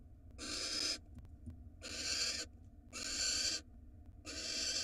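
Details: Nest box camera in Israel catches a female barn owl being given a rat by her male: four loud, breathy screeches with short silent gaps between them.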